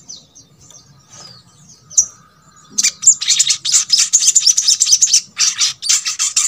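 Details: Brown-throated sunbird (sogok ontong) song, used to prompt quiet birds of its kind into singing: a few faint high chips, then from the third second a dense, rapid, buzzy twittering of high notes.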